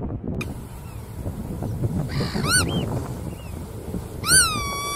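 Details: Bar-tailed godwit with two loud, nasal, arched calls a couple of seconds apart, plus a few fainter call notes, against a constant low-pitched background rumble.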